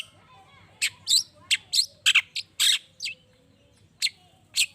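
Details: Long-tailed shrike in a loud run of rough, buzzy chatter notes at an uneven pace, meant to goad other shrikes into answering; soft background whistles from other birds.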